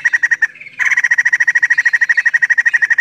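White-crested laughingthrush female gives a fast, steady run of sharp chirps, about three per second, with a brief pause and a short lower note partway through.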